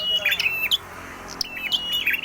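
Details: Prinia called prenjak merah, singing actively, giving a few short, sharp chirps and high, thin whistled notes in two brief bursts, with a quiet pause between them and faint background hiss.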